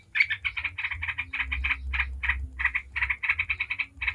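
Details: Yellow-vented bulbul, ngebren lure song used so that other bulbuls reply: lively, bubbling chatter of quick notes in short bursts, fairly continuous, with low hum in the background.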